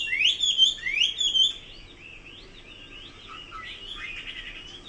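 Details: Chinese hwamei song opening with loud rising whistled slurs repeated about three times, then fading into quieter, softer warbled phrases over low background noise.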